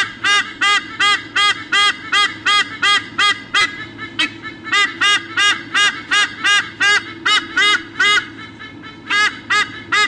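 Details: A pair of eagles squawking together before swapping places at their nest, Sydney Olympic Park, Australia, 3 August 2014, nest camera: rapid honking notes repeated almost three per second, briefly pausing around four and eight seconds.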